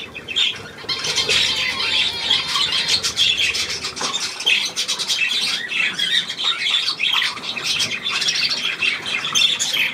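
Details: Budgerigar chatter indoors: a continuous, scratchy high-pitched warble of rapid chirps and squeaky notes, running without pause throughout.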